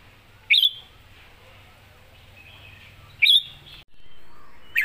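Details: Caged red-whiskered bulbul trained for singing contests, giving 'master song' notes: short, sharp whistled chirps repeated roughly every three seconds, each brief and bright, against a faint low hum.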